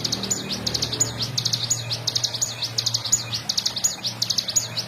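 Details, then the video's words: Bar-winged prinia delivering energetic 'ngebren' song for songbird tutoring: quick runs of high, sharply repeated notes in short bursts, about fifteen notes per second, over a low steady hum. "CIGUN GACOR FULL NGEBREN"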